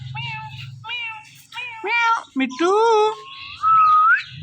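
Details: A pet Indian ringneck parrot couple, male and female, calling on a door in the morning. Drawn-out, nasal, meow-like harmonic calls rise and fall, ending in one long whistle that glides upward. Low hum underneath.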